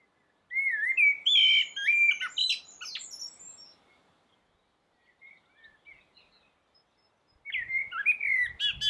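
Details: On a roof, a common blackbird delivers a full song phrase of mellow, looping whistles rising into a thin, squeaky twittering flourish, followed by a lull of soft distant chirps and another warbled phrase.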